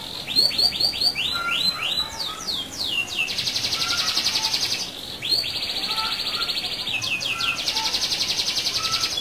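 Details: Canary pouring out a rolling song used to make other canaries respond: quick falling whistled notes leading into long buzzy rattling trills, repeated twice, with soft lower notes in between.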